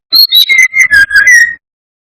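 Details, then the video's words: A brown-chested jungle flycatcher sings as a lure to anger rival birds. High whistled notes slide down into a run of lower, steady whistled notes, each slightly separated, in one phrase of about one and a half seconds. "Pancingan SRDC gacor atas bawah || suara bikin ngamuk SRDC lainnya"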